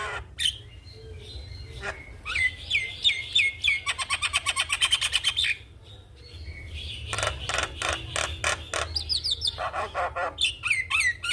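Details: Javan myna in vigorous song with head-nodding, played as a master for young mynas: slurred whistles, then a long fast run of harsh buzzing notes, followed by loud rasping chatter and descending whistles.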